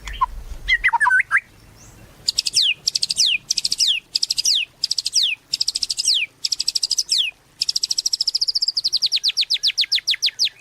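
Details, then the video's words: White-rumped shama singing, used as a trigger for other shamas: a short whistled warble, then repeated bursts of rapid high rattles with falling whistled notes, ending in a long even trill. "Murai Batu Gacor | AMPUH buat PANCINGAN Murai Batu Agar Bunyi"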